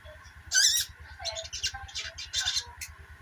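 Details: Brief sogok ontong chatter meant to prompt silent birds to sing: one loud shrill burst, then a run of softer quick squeaky notes, over a low steady mechanical hum.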